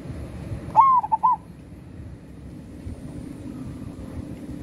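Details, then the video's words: Local zebra dove in active song delivers one short phrase: a rising, drawn-out coo and two quick rounded notes, followed by a quiet low hum. "Suara burung perkutut lokal gacor"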